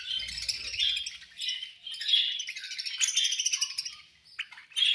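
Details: Budgerigars chirping as they feed, steady overlapping twittering and whistled warbles in pulsing phrases, ending with a sharp high note.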